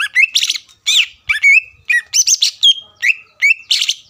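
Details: Greater green leafbird song used to rouse rival leafbirds: loud bursts of harsh, buzzy chatter alternating with clear whistled notes, each phrase about half a second apart.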